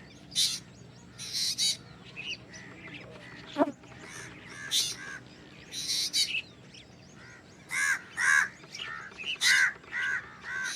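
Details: Black drongo producing a rapid series of harsh, scratchy notes mixed with ringing, harmonic chirps, about fifty per minute, with one sharp click partway through.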